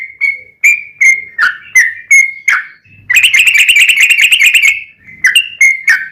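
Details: Song of a yellow-vented bulbul meant to stir caged bulbuls into answering: spaced, gurgling whistled notes, then a dense rapid rolling trill of about two seconds, then more separate notes.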